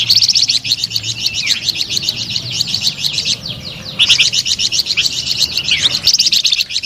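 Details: Melodious, energetic flamboyan bird song: dense runs of rapid high twittering notes broken by short gaps, with a few downward-sliding whistles between phrases.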